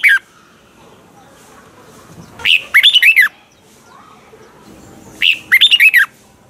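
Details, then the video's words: Red-whiskered bulbul song of the double-note mature wild type, played to teach birds: two clear, rapid warbled phrases of looping whistles, separated by nearly three seconds of quiet. "chào mào hót âm kép già rừng hay tuyệt!"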